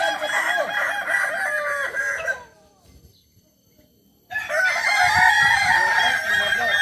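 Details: Kukuak balenggek chicken from Tigo Lurah, Solok, West Sumatra, whose crow runs through 3 to 19 levels. Dense, wavering crowing fills two seconds, stops for two seconds of quiet, then returns loud and sustained.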